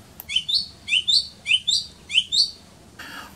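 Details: A song thrush singing in spring repeats a bright, clear two-note whistled phrase four times in quick succession, then switches to a new, harsher phrase.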